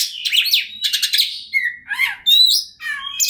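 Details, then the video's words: Fired-up Oriental magpie-robin in 'ngobra' style used to provoke rivals; a buzzy chattering burst, then pure descending whistles and a loud clear whistled phrase with a rasping ending. "KACER NGOTOT PANCINGAN TERBAIK BIAR KACER LAWAN CEPAT GACOR, Kacer Gacor Full Ngobra"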